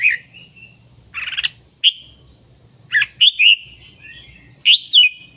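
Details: A red-whiskered bulbul, in full voice, gives whistled notes that trail into thin sustained tones, a brief buzzy rattle, then a few rising and falling whistles spaced about a second apart.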